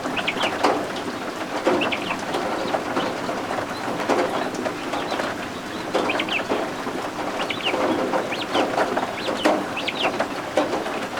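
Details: Newly hatched guinea fowl keets, indoors and warm under a heat lamp, give short, high, thin peeps in bursts of two or three about every two seconds. Steady rain hisses outside throughout.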